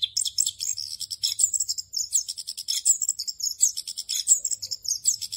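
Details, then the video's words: Orange-headed thrush in the rolling 'ngerol' song style, a full-content tutor recording for training other captive thrushes: a continuous fast stream of high, sweeping twitters and chirps with rapid varied notes and no pauses. "ANIS KEMBANG NGEROL FULL ISIAN EFEKTIF UNTUK MASTERAN ANIS KEMBANG"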